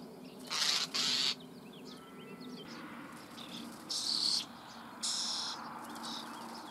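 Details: Common starling chicks fed in a nest hole near Büchel in the Eifel: four loud noisy hissing begging bursts separated by pauses, with a faint whistled bird note in the background.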